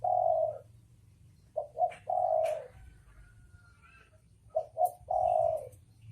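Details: A male and female spotted dove pair cooing: a long mellow coo, then two phrases of quick short notes followed by a sustained, even coo, with quiet gaps between.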